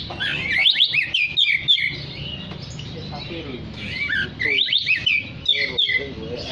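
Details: Oriental magpie-robin in full song, used to call other magpie-robins: bursts of bright, varied whistled and chattering phrases, rising and falling, in two clusters separated by a quieter spell, over a steady low hum.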